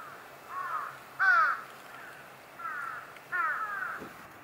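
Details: Brown-eared bulbul in early February 2021 giving harsh, strident calls in four bursts over about four seconds, the loudest two sharp and squealing, against quiet outdoor background.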